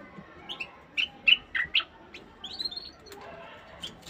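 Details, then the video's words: Caged bulbul singing to stimulate the female to mate: a quick run of about five short, bright, whistled chirps, then a softer slurred warble and a few scattered high notes over a faint hiss. "تغريد البلبل 🐦 لتحفيز الأنثى على التزاوج."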